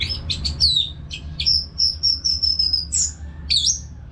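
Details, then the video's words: Orange-headed thrush, a cage bird from North Bali whose song trains other birds: rapid chirps, a falling slurred whistle, then a string of five or six clear level high whistles and a final twisting note, with a low room hum beneath. "ANIS MERAH GACOR TIADA HENTI TANPA NGETEM"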